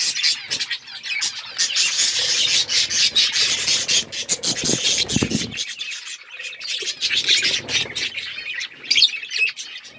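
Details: Budgerigars eating seeds and chirping, dense high scratchy chatter and squawks from a group, with louder rustling and pecking bursts in the middle.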